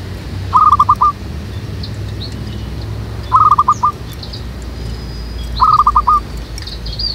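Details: Zebra dove (perkutut) used as a lure bird for trapping doves, in a jackfruit tree behind a house. Three rolling, quick-pulsed coo phrases of about six notes each, repeated roughly every two and a half seconds, with faint high chirps of other birds.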